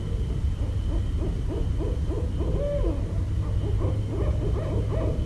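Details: Barred owl recorded in Westchester, New York, on 5.1.17, giving a rapid run of deep, rhythmic hoots, several bending or sliding in pitch, over a steady low rumble.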